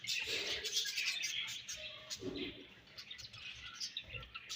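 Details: Budgerigars feeding and exchanging food, chattering with a loud burst of scratchy chirps at first, then quieter intermittent twitters and soft lower murmurs.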